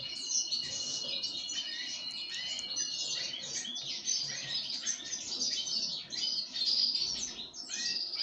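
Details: Pine grosbeak being fed sunflower seeds; continuous high, twittering chirps in quick bursts, with short dips in loudness between clusters near the end.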